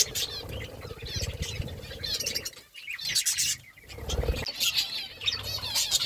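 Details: Parakeets chirping as they eat fruit; bright, twisting high notes come in clusters, with a short lull midway and a background of low rumbling and crunching.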